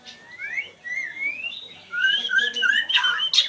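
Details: Oriental Magpie-Robin giving rising whistled glides that climb step by step, then a faster string of bright, warbled whistles ending in two sharp, scratchy notes.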